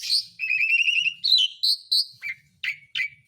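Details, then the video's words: Asian pied starling singing as a lure for lazy birds: a buzzy trilled phrase, then high whistled notes and several short harsh downslurred chirps, each separated by brief gaps. "BURUNG MALAS BUNYI JADI GACOR LAGI (JALAK SUREN)"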